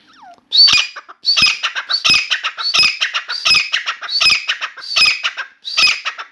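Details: Grey francolin (Dakhni teetar) kept in a room, calling without pause: a soft slurred note, then a run of loud, rasping high phrases about every 0.75 seconds, each with a burst of rapid broken notes.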